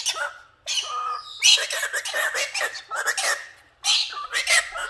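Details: A pet galah cockatoo, apparently mad at being taken away from his box, rants in harsh, raspy bursts of mimicked speech and squawks, in three runs broken by brief pauses.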